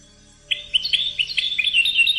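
A European goldfinch sings a quick, bright run of tinkling, twittering notes, varied and high-pitched, delivered without pause over a quiet background.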